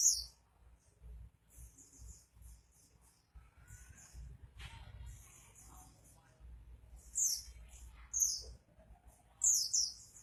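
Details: Pleci, an oriental white-eye, in full song: scattered, very high, sharp chirps with quieter gaps, a few louder twittering bursts near the end, and a low background rumble.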